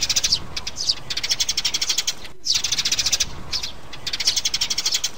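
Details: Lure recording of a sparrow mother and young: fast, bright, repeated chirps in quick trains, a clean break midway, then the chattering resumes over a soft low rumble.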